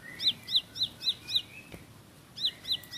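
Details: Ciblek sawah or ciblek pari (bar-winged prinia) giving quick high chipping notes in rolling series, five in a row, a short break after a click, then the run resumes, with a faint thin whistle underneath.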